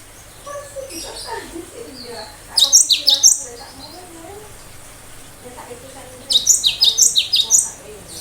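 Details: Cinereous tit singing its sharp 'tembakan' song meant to make other birds answer and imitate: two bursts of rapid, ringing high downslurred notes, with softer lower chirps and whistles from other birds between them.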